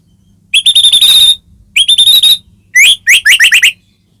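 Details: Caged white-rumped shama singing to provoke another shama: two long steady buzzing whistles, then a brisk series of rising slurred whistled notes.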